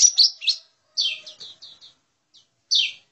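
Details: High, slurred downward whistles and short chirps from a lesser green leafbird lure call, given in small separated groups with brief silences between them.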